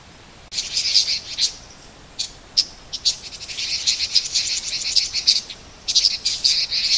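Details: Red-billed leiothrix calling and singing in autumn at Garyuzan, recorded with a homemade sound collector; high, thin chattering notes in rapid bursts, some continuous twittering runs, with short pauses.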